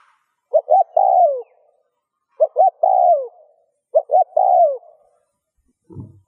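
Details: Spotted dove coos used to stimulate other doves: three evenly spaced phrases, each a pair of short low notes followed by a longer coo that falls away, and a soft low thud at the end.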